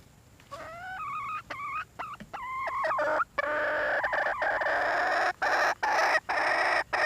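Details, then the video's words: Red junglefowl hen: a few clear, rising tonal calls with stacked harmonics, then a run of loud, harsh, rasping bursts broken by short gaps. "nkauj qaib see zoo heev"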